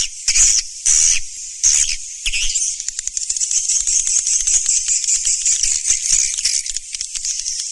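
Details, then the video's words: Swiftlet calls used to lure swiftlets: high, thin, rapid chattering twitters, starting as separate bursts roughly every half second, then merging into a continuous dense buzzing chatter. "SUARA BURUNG WALET"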